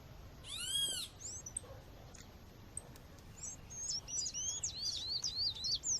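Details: Female double-collared seedeater calling to stimulate males, with natural background. A loud arched, harmonic-rich call from another source comes first. Then a quick run of short, high, thin chips and slurred notes starts at mid-clip and continues to the end.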